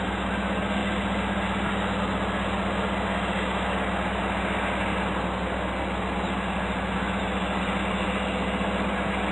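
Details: Steady loud broadband hiss with a constant low hum throughout and no animal calls.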